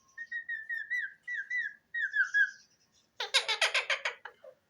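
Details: Pet talking parrot giving a run of short repeated whistled notes in slurred groups, then a burst of harsh rapid chattering squawks.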